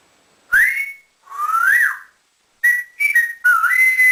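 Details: Pet male African grey parrot, taught to whistle like a builder, gives loud pure whistles: a rising slur, a longer up-and-down note, then clipped steady tones and a sustained level whistle, indoors.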